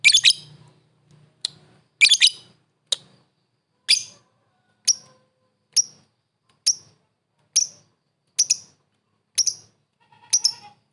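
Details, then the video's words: Lovebird calling a rival with single sharp, piercing chirps spaced roughly a second apart, a few opening notes doubled, against an otherwise quiet background. "suara burung lovebird memanggil lawan | the sound of lovebirds calling the opponent"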